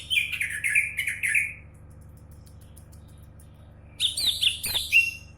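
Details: Champion greater green leafbird singing two bursts of fast, rich chattering notes, shrill and slurred, separated by a pause of about two seconds.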